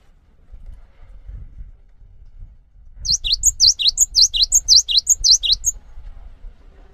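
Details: Cinereous tit singing a brisk, evenly paced string of shrill two-part notes, a high whistle alternating with a dropping note, about twelve in under three seconds. A low rumble of background noise runs beforehand.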